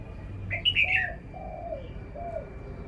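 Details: A caged red-whiskered bulbul gives one short, bright, falling warbled phrase. Lower, arched whistles repeat in the background, over low rumbling noise and a thin steady tone.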